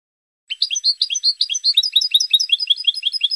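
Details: European goldfinch singing on a training recording for cage birds: a fast, bright run of twittering, tinkling notes repeated about two to three times a second, with liquid rising chirps throughout.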